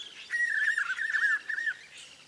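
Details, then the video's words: Spot-backed puffbird at Boa Nova, Bahia, Brazil, giving one loud sustained whistled phrase that wobbles rapidly up and down at a steady pitch for over a second, then fades. "Rapazinho-dos-velhos (Nystalus maculatus) Spot-backed Puffbird"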